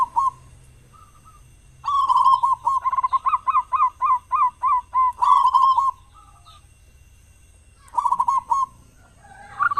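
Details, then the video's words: Local zebra dove, a loud-voiced, frequently singing bird used as a lure to prompt other doves to sing in morning and evening; bursts of rapid, bubbling coos near one pitch, a long run of evenly repeated notes, then pauses. "perkutut lokal gacor suara besar buat pancingan diPAGI dan sore"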